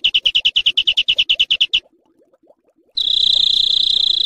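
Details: Training audio of harsh 'besetan kasar' songbird sounds: a fast pulsed trill of about fifteen notes, a short silence with faint chatter, then a steady high grating buzz.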